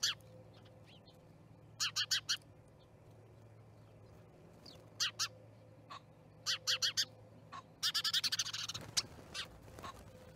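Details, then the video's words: Starling flock at an osprey nest in Charlo, Montana, recorded by a live camera on 10/07/2019; harsh, rasping broadband calls in quick bursts of three to five, ending in a dense chattering cluster, over a low steady hum. "Starling Party"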